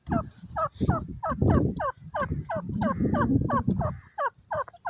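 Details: Francolin (teetar) calling in a field with pigeons. A steady series of short, clipped notes falling then rising, about three each second, over a low rumbling background.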